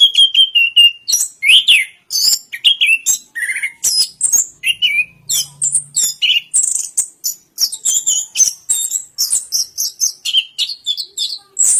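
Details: Orange-headed thrush pouring out a long, busy song of varied whistles, chirps and trills, opening with a steady level whistle, then rapid high notes packed closely together.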